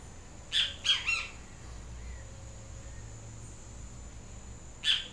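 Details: A yellow-crested tyrant flycatcher (Tyrannidae), called pichocué or benteveo, gives three harsh, squawky calls in quick succession, then one more about four seconds later, over a faint low hum.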